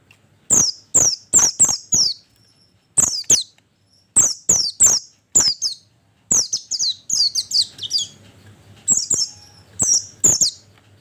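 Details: Calls of an oriental white-eye, used as a lure to draw in birds: rapid bursts of three to five piercing, very high, downslurred chirps separated by short pauses, over a quiet background.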